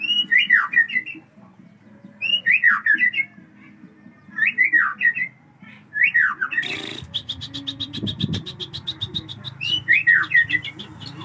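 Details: Aceh white-rumped shama delivering an extra-long song fill repertoire: a short swooping whistled phrase repeated about every two seconds, then a sharp noise burst followed by a run of rapid chattering notes.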